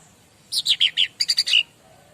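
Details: Bar-winged prinia master song: four loud high notes falling in pitch, then a quicker group of four clipped chirps ending on a lower drawn-out note, all within about a second.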